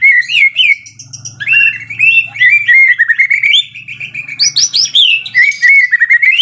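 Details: Energetic gacor song of a white-rumped shama: clear ringing whistles rising and falling, mixed with fast chattering phrases and sharp upward sweeps. A steady low hum sits in the background.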